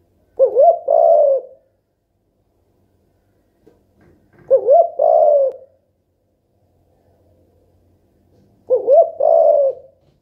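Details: Mourning dove, a pet bird, repeating its low two-part coo three times about every four seconds. Each coo is a wavering rising slur followed by a steady, slightly rough hoot, with faint rustles between.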